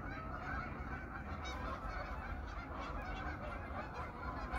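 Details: A big wintering flock of geese at their evening pond in autumn, a short burst of crowded honking with no gaps between calls, over low rumbling background noise.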